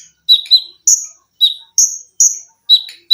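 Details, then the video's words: Caged olive-backed sunbird singing close 'tembakan' with 'lengkingan' for tutoring other birds: about one note a second of very high, piercing whistles and lower buzzy chips, some given in quick pairs. "TERAPI KONIN GACOR FULL TEMBAKAN RAPAT!!!MESIN JAHIT,LENGKINGAN DAN BESETAN."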